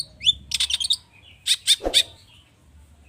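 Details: Long-tailed shrike lure song, agitated and full of rich mimicry, played to prompt other birds into song. A rising whistle leads into two dense bursts of chattering chirps, with a brief low thump.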